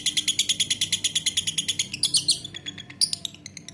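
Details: Quick, evenly pulsed high chirps from a lovebird for two seconds, then sparser squeaky notes and a short burst of chatter.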